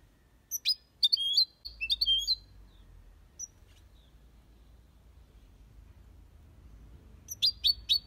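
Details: Caged European goldfinch in an aviary, copia Malaga style song. Quick bursts of sharp, high chirps at the start and again at the end, separated by a quiet gap with faint low background hum.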